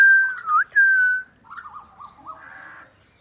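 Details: Talking Alexandrine (green ringneck) parakeet playing with a mobile phone: a long clear whistle, a quick upward slur, then four short wavering notes like chattered speech, ending in a harsher, rasping sound.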